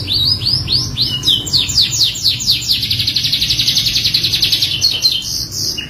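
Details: Canary singing as a lure in full isian style: looping swept whistles speed up into a dense, rapid trill of repeated notes that holds high and steady.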